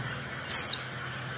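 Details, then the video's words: A single high, thin downward-sliding note from a female Oriental white-eye, a call used to rouse silent males into singing, over faint low hum. "pleci betina untuk pancingan pleci bisu"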